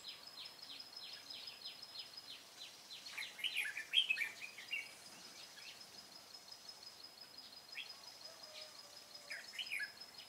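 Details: Red-whiskered bulbul during a 25 April 2017 trapping session: one loud rich warbled phrase near the start, then a long run of faint quick chirps and a few distant answering notes.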